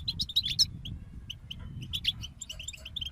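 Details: European goldfinch group song heard as quick high chips and clipped twitters, some doubled, spaced irregularly, with a louder low-frequency background rumble than usual.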